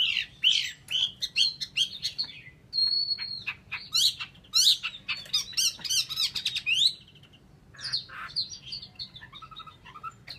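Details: Chinese hwamei delivering loud, varied song: rapid bursts of rich, buzzy-edged whistles and sharp notes, a held steady whistle near the middle, then softer warbling phrases.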